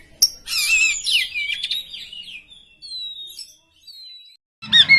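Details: Poci-variety Oriental magpie-robin in contest song meant to rouse rival birds: a burst of tumbling, warbled whistles followed by thin, sliding high notes with short silences, then a sharp closing phrase.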